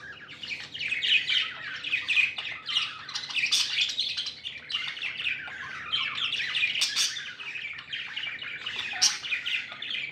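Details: Pet budgies chirp happily at length, a steady, dense stream of warbling, buzzy chatter and quick tweets with occasional sharp clicks, the flock's voices overlapping throughout.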